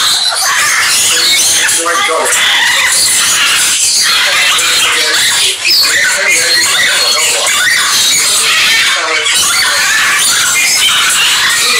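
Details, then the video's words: A blue macaw talks in squeaky, speech-like phrases over a constant, dense din of many other birds screeching and chattering. "Mixed birds noise and macaw sound macaw speaking blue macaw speaking"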